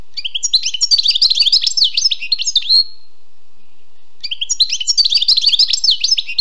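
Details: Wild European goldfinch singing: a dense, bright twittering run of rapid liquid chirps and trills lasting nearly three seconds, a brief pause, then a second twittering burst resumes.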